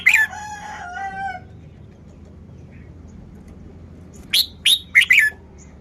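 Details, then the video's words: Red-whiskered bulbul showing off its song phrasing: a burst of four short, loud, chirpy warbled notes near the end. A rooster's long, drawn-out crow opens the recording. "นกกรงหัวจุก จ้าวมารวย"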